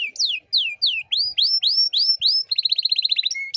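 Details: Canary in gacor singing for training young songbirds: a run of about eight rising and falling whistled slurs, then a quick rapid trill and a brief steady whistled note.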